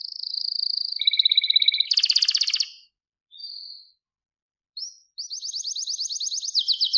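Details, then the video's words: Singing canary, played so other canaries learn to sing: steady high trills and rattling buzzy phrases that switch pitch every second or so, short pauses, then a quickly repeated chopping trill at the close. "Wonderfull Canary Singing"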